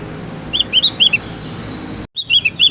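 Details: Javan grey-throated white-eye learning its song, uttering a handful of separate high chirps, then a short break and a few more chirps.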